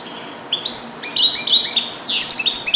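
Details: Captive-bred European goldfinch from 2022, trained with Neapolitan passages, sings alone in a small carrier: clear, slightly rising whistled notes stepping upward, then a dense run of high tinkling twitters and a downward sweep.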